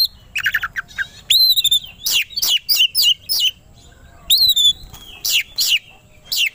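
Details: Kacer, the Oriental magpie-robin, in an aggressive provocation song: buzzy downslurred notes, then clear rising whistles followed by a series of loud sharp chips repeated about every third of a second.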